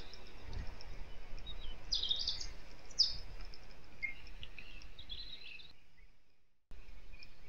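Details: Osprey at a nest in Kurzeme, Latvia, on 23 April, with wind and rain with wet snow shaking the nest; high, thin chirping calls, two louder sharp bursts near the middle, then softer whistles over steady wind rumble.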